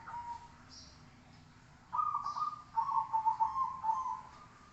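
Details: Zebra dove song as a training recording: a faint soft coo, then a longer bubbling phrase of rapid pulsed notes that wavers and fades, low-pitched and mellow, with quiet hiss.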